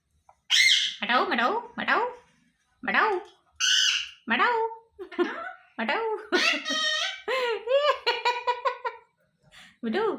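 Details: Pet parrot talking indoors: a run of rasping, harmonic syllables with sliding pitch, uttered in quick bursts with short pauses, mimicking speech.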